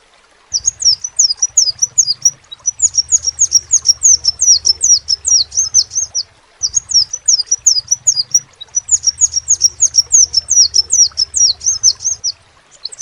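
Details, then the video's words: Long vigorous crimson sunbird song: repeated sharp, high, down-slurred chirps in two extended runs separated by a short pause, backed by a steady faint low hum. "SEPAH RAJA TERNYATA MEMPUNYAI KELEBIHAN DARI SEGI SUARA NYA YANG KHAS"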